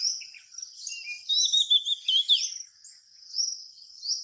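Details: A Seychelles magpie-robin sings in a garden on 31 March 2025, giving high warbling whistled phrases with quick trills and sliding notes, followed by sustained thin tones.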